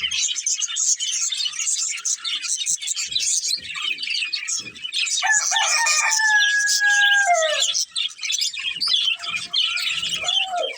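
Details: Budgerigar breeding pair keeping up a busy stream of high twittering chirps and scratchy warbles, interrupted midway by a long, falling rooster crow in the background.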